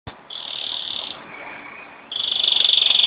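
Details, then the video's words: Pet canary singing at home in Jeddah on Friday, 26 September 2008: a sustained high buzzy trill, a dip to a lower steady tone, then a louder rapid pulsed roll, as its owner coaxes it to sing. "My Canary Showing OFF"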